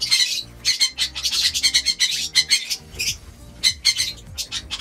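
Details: Lovebirds kept in a home aviary, feeding on vegetables and soft food; dense, harsh high squawks and chattering chirps in quick overlapping bursts, with steady background music underneath.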